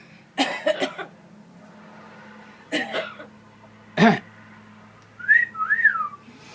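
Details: A pet talking parrot whose catchphrase is "pretty bird", coaxed by its owners, gives two rough, speech-like bursts and a short harsh note, then a clear two-part whistle that rises and falls.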